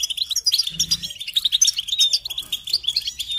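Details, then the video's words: European goldfinch singing on a training tape meant for teaching young songbirds: rapid, bright twitters and sharp chirps run without pause, with a brief low hum just before the one-second mark. "Encouragement to motivate and support goldfinches in songs"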